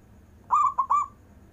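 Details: Local zebra dove with long-breathed song, used to set off lazy zebra doves: a brief run of three mellow coos, a longer note then two quick ones trailing into a sustained tone.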